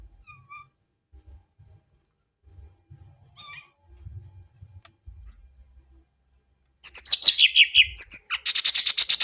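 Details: Green leafbird, called cucak ijo mini, giving a strange sound: a quiet opening with faint soft notes and low bumps, then a sudden loud burst of harsh, high, rapid chattering and scratchy notes over the last few seconds.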